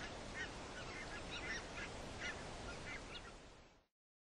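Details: Red-breasted goose calling: short, high, squeaky notes given in irregular bursts, several per second, partly buried in steady broadband rushing noise, ending abruptly near the close.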